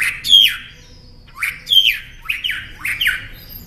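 A Northern mockingbird sings harsh, raspy phrases that slur downward, repeated four times at roughly one-second intervals, with little else audible.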